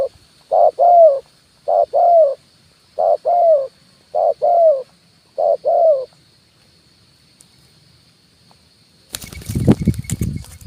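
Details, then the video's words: Spotted dove call used as a decoy to lure wild birds, kuk 1 style, on branch and ground: low hollow two-part coos repeated five times over six seconds, then a burst of loud rustling noise. "SUARA PANCINGAN BURUNG TEKUKUR,KUK 1 DI RANTING &TANAH"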